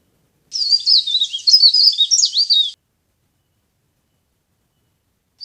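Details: Leaf warbler sound used to attract birds for trapping: a dense, high, scratchy twittering phrase of about two seconds, then quiet apart from one tiny note at the very end.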